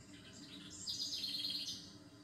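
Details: Bird singing in a calm soundscape: high chirping notes build into a rapid trilled phrase, rising at its end, over a low constant hum.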